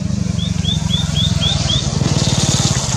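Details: White-naped tit calling continuously: a run of six short, upslurred whistled notes in quick succession, partly masked by a loud, throbbing engine noise that continues after the calls stop.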